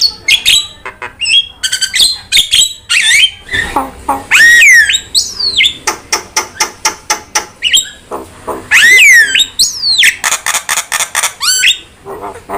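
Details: Javan myna training song for prompting birds: long run of sharp repeated clicks and snaps mixed with loud swooping whistles and chattering phrases, dense and continuous.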